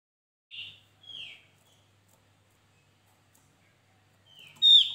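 A few high, thin slurred notes from a Javan grey-throated white-eye, one falling in pitch, with a louder bright phrase at the end over a faint low hum.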